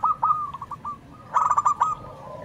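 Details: Zebra doves calling back and forth in manggung song: a short run of spaced coo notes, a pause, then a denser bubbling burst of quick notes from a louder bird.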